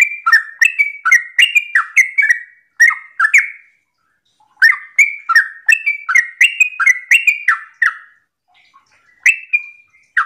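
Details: A sooty-headed bulbul in the morning pours out rapid bubbly whistles in two long bursts separated by a pause, the liquid notes rising and falling, meant to coax other bulbuls into singing.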